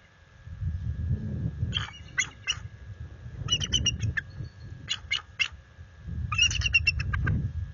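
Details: Resident bald eagle pair at night near their nest, alerting at an intruder adult eagle, February: bursts of rapid high staccato chirps in three clusters over low rumbling wind and background noise.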